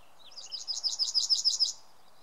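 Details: Yellowhammer singing in May 2016 in Samara Oblast, Russia: a rapid, even series of about ten bright, slightly buzzy high notes that grow louder toward the end, over a quiet background.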